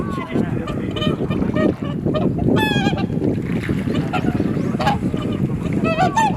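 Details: Before sunrise at Kotoku-numa, Japan, a swan flock gives repeated bugling 'kuu-kuu' honks, some short and rising, over strong wind buffeting recorded on a camera's internal mic.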